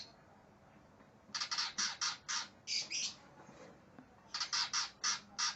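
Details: Aggressive greater green leafbird seeking an opponent gives harsh, rasping squawks in two bursts of about five to six notes each, delivered evenly at roughly four per second, with a quiet stretch between.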